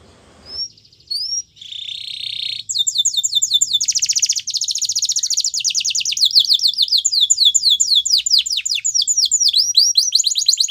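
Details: Yellow canary training song opening with a few thin rising whistles and a buzzy note, then fast continuous trills of sweeping notes that shift speed and pitch across successive phrases.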